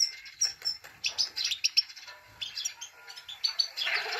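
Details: Himalayan goldfinch, a female calling 'peet peet' to stimulate males: a steady flow of rapid, high chirps and twitters, ending in a harsher, buzzy note.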